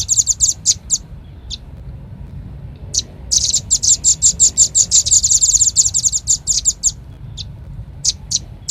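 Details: Red-billed leiothrix lure call: a few scattered sharp, very high chirps, then a dense fast run of bright chattering notes from about three to seven seconds, trailing off into single chirps. A faint low rumble sits underneath.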